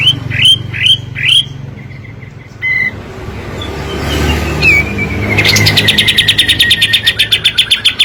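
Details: Kapas tembak in 'gacor' form for luring quiet birds: three rising whistled notes, a soft pause, then a long tight rattle of quick high notes over a faint rumble of traffic.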